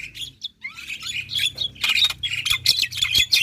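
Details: Energetic black-winged myna singing as bait for quiet mynas: continuous harsh, buzzy chatter with a thin rising whistle, growing louder and denser toward the end.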